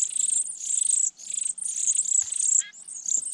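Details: Nestling sparrows in a pine-top nest cared for by their parents, recorded at close range; a long run of high rasping, shimmering begging bursts, a short pause, then more, with a few faint soft clicks.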